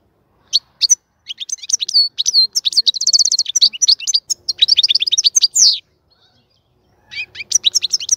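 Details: European goldfinch singing in a cage readied for mating, an extended fast chatter of bright twittering notes and trills, a short silence, then the song resumes.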